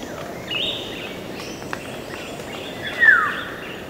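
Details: Black-naped oriole whistling twice: a short higher note, then a louder, descending musical whistle a few seconds later, with drips of water falling in the background.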